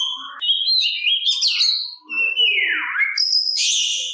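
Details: Short burst of Oriental magpie-robin song intended to make other kacer reply; a few clear whistled notes rise and fall, then a long descending slurred sweep, ending in harsh buzzy high notes.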